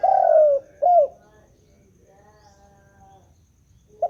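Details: Spotted dove calling continuously: two loud, low, mellow coos in the first second, the first longer and slightly falling, then a faint drawn-out tone and the start of another coo at the end; quiet background.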